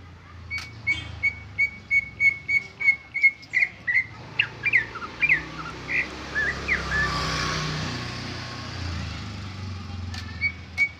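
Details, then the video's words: Original Greater green leafbird song without imitations: a quick row of repeated whistled notes about three per second, breaking into varied slurred phrases, then a passing vehicle's rush drowns the bird before one last note. "Suara Cucak ijo Original tanpa isian"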